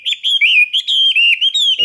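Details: Chinese hwamei, caged, singing in a morning practice session: a short, dense burst of rich whistled phrases that waver gently up and down with barely any pause.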